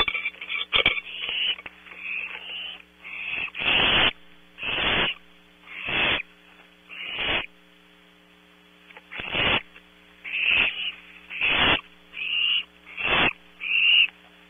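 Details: Barn owl owlets filmed close up at night by a nest camera at Audubon Starr Ranch, California, give a run of rough, breathy hissing screeches about a second long, spaced irregularly, over a constant low electrical hum.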